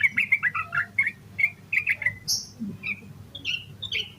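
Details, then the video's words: Yellow-vented bulbul in energetic 'gacor emosi koslet' song, full of filler phrases, played to stimulate other bulbuls to sing; quick run of bubbly, warbled two-note phrases, then higher thin whistled notes, over a steady low hum. "Suara Burung Trucukan Gacor EMOSI KOSLET Full Isian Buat Pancingan Burung Trucuk Agar Cepat GACOR"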